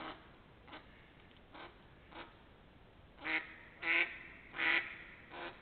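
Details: Ducks in spring 2021, first calling with faint, distant quacks, then with three loud nasal quacks in close succession, followed by a softer one.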